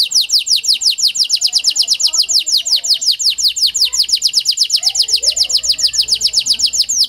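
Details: Panda canary lure song for stirring silent canaries: an unbroken series of sharp descending chirps repeated rapidly and very regularly, about six per second, for the whole stretch, with faint low background sounds.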